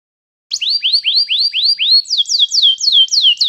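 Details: Canary song used for training a canary to sing: after a brief silence, a series of rising whistled notes, then falling swept notes, each repeated about four times a second.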